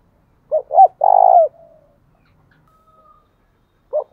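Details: Decoy spotted dove calling to provoke wild doves, giving one complete phrase of two short coos and a long vibrating croo, then near silence before the next phrase begins at the very end.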